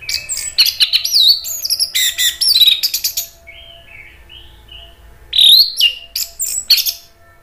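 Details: Orange-headed thrush in full song, played to goad other thrushes into replying and to restart silent birds: dense, rich run of varied whistles and sharp slurred notes, a short lull, then another burst of bright twisting phrases.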